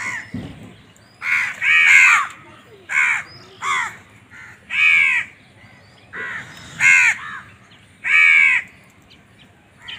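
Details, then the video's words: Crow calling steadily, seven or eight harsh, rasping caws spaced roughly one to two seconds apart, each loud and slightly falling, over a quiet background. "Crow bird crowing sound"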